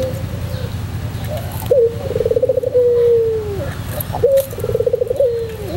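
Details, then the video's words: White puter pelung dove singing two coo phrases, each a quick bubbling trill flowing into a sustained low hoot that sinks slightly at the end, against a steady low background hum. "masteran puter pelung putih manggung"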